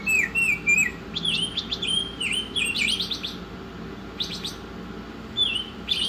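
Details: Oriental magpie-robin singing energetically in a songbird training recording: wavering whistles, dipping slurred notes and clusters of harsh buzzy clicks, with short pauses between phrases and a low background hum.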